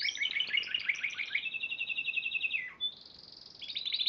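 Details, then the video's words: Spanish Timbrado canary that won the Piala Raja contest, March 2014, sings a long rapid rolling trill that slides lower. A brief clear whistle follows, then a high fast trill. "Kenari Spanish Timbrado Juara Piala Raja Maret 2014"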